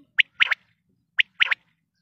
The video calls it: Quail calling